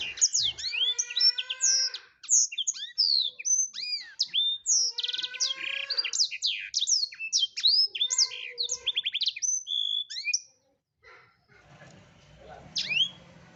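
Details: Blackthroat singing persistently as a training tutor for songbirds: a long, continuous, varied high-pitched warble of rapid slurred whistles, trills and buzzy notes lasting ten seconds before stopping, with faint background noise after.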